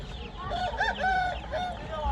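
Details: Chickens at a poultry market in Ankara, Turkey, as chick season opens; overlapping clear tonal calls that rise and fall in arcs, several birds at once, over a low crowd murmur.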